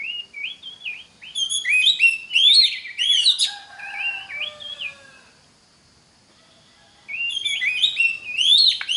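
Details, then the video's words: Oriental magpie-robin song used to train other magpie-robins: long flowing sequences of varied whistles and warbles, some lower descending notes, a quiet gap of about two seconds, then another energetic burst of song. "Pancingan Suara Kacer (Cocok) buat kacer belajar Kicau!!"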